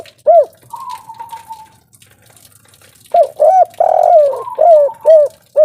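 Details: Local 'kuk 3' cooing of a spotted dove, played as a lure: one hollow coo and a thin level whistle, then after a quiet stretch a burst of repeated deep coos, the middle note longer and sliding down.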